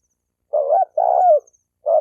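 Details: Spotted dove cooing to provoke males and females to fight: a short low coo, then a longer wavering one that falls at its end, and the start of another note.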